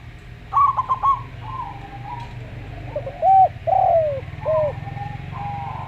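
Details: Slow song of a local zebra dove: a quick run of clipped, stuttering notes, then softer pauses and a few drawn-out arched coos, over a faint low hum.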